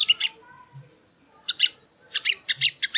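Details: Sogon (sogo ontong) song used as training audio: short clusters of high, scratchy chirps separated by quiet gaps, with a rising whistled sweep leading into the final chattering bursts.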